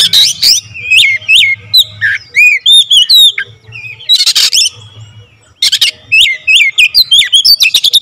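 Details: Vigorous Oriental magpie-robin song delivered in tight rapid-fire style with full fill-in variety: continuous flurries of short chirps, arching whistles and noisy bursts, one short pause midway, then a dense closing run.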